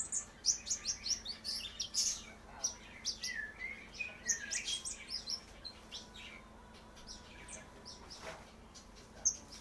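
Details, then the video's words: Brown-throated sunbird learning to sing: a busy, uneven stream of high twittering chirps and brief slurred notes, some dipping lower, growing sparser toward the end. "Konin Trotol Belajar Bunyi"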